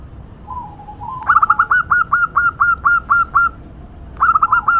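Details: Female local zebra dove, kept as a pet, giving a noisy cooing series: a soft low opening note, then a rapid run of about nine sharp, evenly repeated rising-falling coos, restarting near the end.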